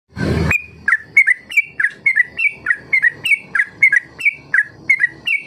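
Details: Yellow-vented bulbul (trucuk) recording played to coax young birds into learning the long ropel song. A short loud noise burst opens, then about fifteen bright chirpy notes with quick up-down slurs follow at a steady, fast pace.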